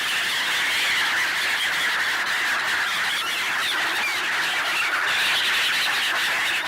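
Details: Black-headed gulls swarming for bread in winter at a swan wintering place in Ibaraki, Japan, recorded on a Nikon D7200; a steady wall of harsh, grating calls from many birds, loud and unbroken.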